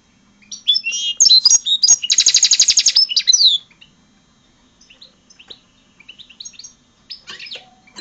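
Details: Hybrid of European goldfinch and red siskin singing a lively phrase: twittering chirps, then a fast buzzy rattled trill of repeated notes, followed by scattered softer high twitters with a faint low hum behind.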